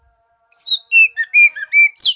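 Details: To prompt a non-singing magpie-robin, a bright phrase: a long falling whistle, then five or six short crisp notes at alternating pitches, finishing with a loud high slurred note.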